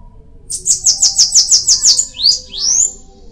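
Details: Bananaquit song: a run of about eight very high, buzzy, evenly spaced notes that descend slightly, followed by two thin upslurred squeaky whistles, with low background hum.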